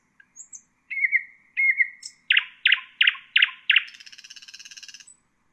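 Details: Common nightingale phrase for teaching songbirds: brief high notes, two slurred whistles, then five loud, evenly spaced, sharp notes that give way to a thin, fast rattle ending in a high tick.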